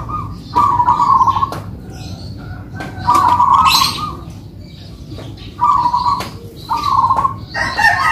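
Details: Duet of two kept local zebra doves in manggung song, giving short burbling trilled coos in uneven bursts with pauses, soft background noise and a brief higher chirp.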